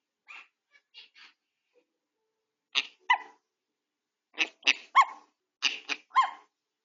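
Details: Indoor grey parrot recovering from a beak injury, caught on home camera chattering: a series of short harmonic, speech-like bursts in quick clusters, a few soft syllables first, then louder grouped phrases toward the end.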